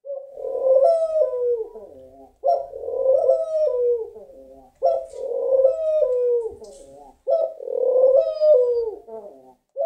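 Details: Laughing dove cooing: soft, bubbling low phrases of several linked notes that rise then fall away. Each phrase is repeated about every two and a half seconds, with brief silences between.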